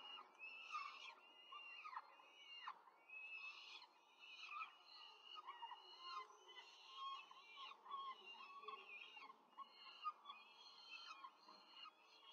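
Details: Quick feeding of four peregrine falcon chicks at a Rome nest, 5 May 2023: dense, overlapping thin squeals and wheezy calls, with a few sharp downward-sliding cries early on, continuing throughout.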